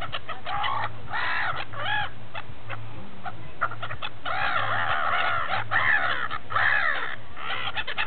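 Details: Gulls feasting at Repino near St. Petersburg, Russia, utter longer nasal, laughing cries in stacked bursts amid quicker clipped notes, the flock calling almost without pause over a low hum.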